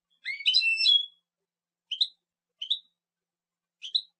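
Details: European goldfinch song: a bright tinkling burst of mixed high notes, then three short rising chirps spaced about a second apart, against a completely silent background.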